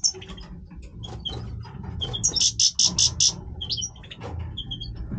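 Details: Male European goldfinch in breeding voice gives jangling twitters and a run of five loud buzzy notes in fast rhythm, then scattered chirps, faint hum underneath.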